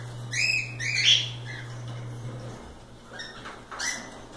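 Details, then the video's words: Playing cockatiels out of the cage give two loud harmonic chirps early, then softer calls, with a low hum that stops midway. "Calopsitas Live Canto dos pássaros"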